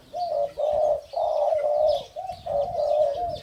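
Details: Male Spotted Dove, hybrid 'sai din' line, kept in a cage with its male pair and showing its crowing style on the move. It gives long, steady, mellow coos run together into a continuous phrase.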